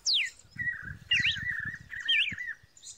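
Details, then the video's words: Red-cowled cardinal song: a steep falling whistle followed by level buzzy trills with rising slurred notes, over faint low thumping in the background. "o lindo cantar do galo da campina"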